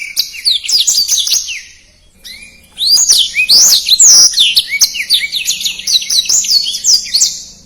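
A Black-throated Canary sings a fast, dense run of high, sweet twittering notes and slurred whistles, breaking briefly before resuming just as rapidly.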